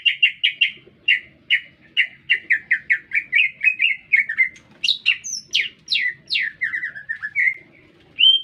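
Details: City-recorded green leafbird singing constantly: a dense rapid chain of bright chirped notes, then high sweeping whistles sliding downward, a burst of lower warbles and a final rising whistle.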